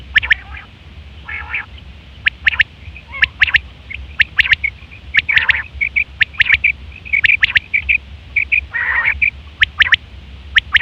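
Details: Female quail sounds used to lure quail: dense high chirps and trilled notes running almost without a break, with a couple of harsher, noisier bursts, over a low background hum.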